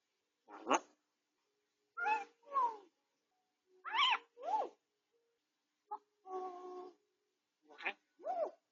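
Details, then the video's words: Grey parrot healing from a beak injury at home, captured by a home camera: paired sliding whistled syllables, a steady nasal tone and short squeaks arriving in irregular bursts, in a quiet indoor room. "아파도 말은 포기 못하는 앵무새, 회색앵무"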